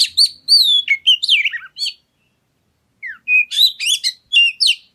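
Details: Song of an oriental magpie-robin, played to prompt other birds to sing. Rich, varied phrases of rising and falling whistles and scratchy notes, a one-second silence, then a fresh run of high whistled notes.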